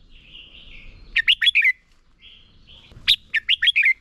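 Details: Red-whiskered bulbul decoy singing to stimulate and train other birds: a soft wavering whistle leads into a phrase of five loud, quick liquid notes, the pattern repeated once.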